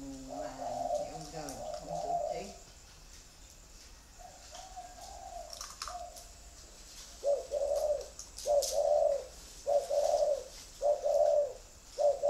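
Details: Spotted dove cooing, first in a blurred run mixed with low murmuring, then a quiet gap, followed by five crisp, evenly spaced short coos about a second apart.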